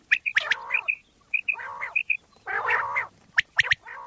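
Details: Common quail called bater in Pakistan, heard in a lure recording for quail hunting: clear triple whistles alternate with harsh, nasal, buzzy phrases and a few sharp clicks.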